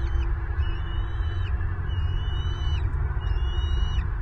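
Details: Adult bald eagle at an active nest in Southwest Florida, February 25, 2023, turning angry on both chicks while feeding them; three bursts of thin, high whistled chittering notes rise above a steady low rumble of wind and camera hum.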